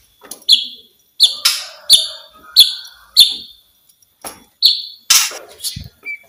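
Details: White-rumped shama sound used to prompt quiet shamas to sing: a series of short, sharp, downslurred chip notes about every two-thirds of a second, with harsh bursts and a brief whistle near the end.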